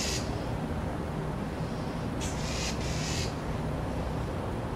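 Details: Northern mockingbird dive-bombing a vulture: a faint rasp at the start, then two rough, broadband screeches in quick succession midway, all against a persistent low-pitched rumble.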